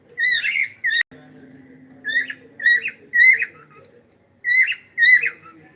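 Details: Pet cockatiel's morning singing: bright whistled phrases in doubled notes, one sharp click near the start and a faint steady low tone underneath.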